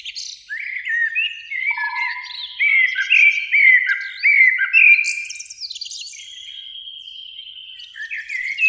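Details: Eurasian blackbird, one of two singing in a spring beech near a lake at evening, delivers a string of loud fluting notes and chuckling twitters, then quieter high phrases; a brief low steady whistle in the background.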